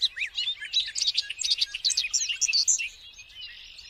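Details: Bobolink singing a rapid, bubbly cascade of varied metallic notes, loops and chirps for about three seconds, then trailing off into faint high twitters.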